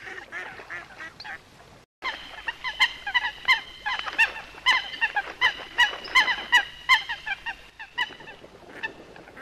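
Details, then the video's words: Coot repeating short, honking, trumpet-like notes at about three per second in an uneven series lasting several seconds, after a brief quieter start of softer calls. "Coot best voice call"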